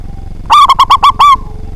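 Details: Big-voiced local zebra dove, singing eagerly to provoke rival birds to sing. A single phrase of five quick bubbling coos, the last one stretched and slightly falling, with soft low noise behind.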